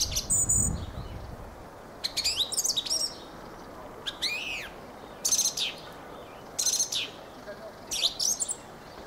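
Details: Fieldfare (Turdus pilaris) song of harsh, squeaky chattering bursts and one arched whistled note, phrases repeating roughly every one to one and a half seconds.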